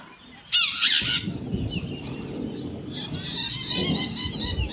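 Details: Maritaca parrots screaming: a couple of loud grating squawks early on, then a sustained run of rapid, rasping screeches in the second half over a low background rumble.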